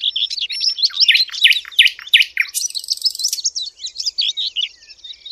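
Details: A Sylvia warbler lure sound for hunting, a fast, scratchy, chattering warble of high notes and rapid twittering phrases, with a brief buzzy rattle midway.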